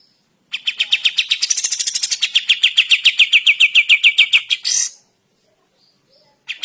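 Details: Sooty-headed bulbul in the morning, pouring out a steady trill of rapid repeated notes for about four seconds, ending in a harsh burst before silence.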